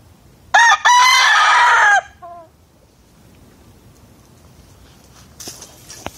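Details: Rooster giving one loud, raspy crow of about 1.5 seconds, followed by a few soft, short clucks, then near silence with faint clicks and rustling toward the end.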